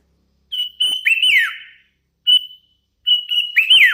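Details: Hand-raised sooty-headed bulbul singing eagerly, sustained pure whistles that bend into looping downward slurs, three phrases separated by brief pauses.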